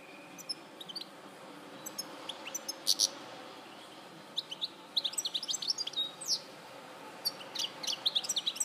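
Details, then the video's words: European goldfinch recorded at Larache in 2014, singing in bursts of quick twittering, tinkling notes and short buzzy trills, with pauses between phrases and a faint steady background hum. "Jilguero Larache 2014"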